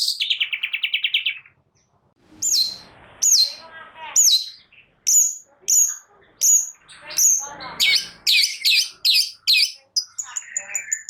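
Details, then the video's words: Long-tailed shrike singing to provoke other birds into singing: a rapid grating rattle, a pause, then sharp high chips and downslurred whistled notes in irregular bursts, ending in a thin high trill. "Cendet Malas Bunyi Agar Cepat Emosi gacor Sekali Dengar"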